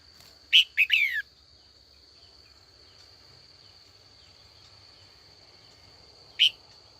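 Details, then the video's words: Female red-whiskered bulbul calling in the afternoon to stir old wild males into duelling song: one quick phrase of sharp then downslurred notes, a long pause, then a single clipped note, over a continuous high-pitched hum. "Luyện chào mào mái chiều gọi bổi già rừng hót đấu ra giọng chuẩn nhất vùng miền"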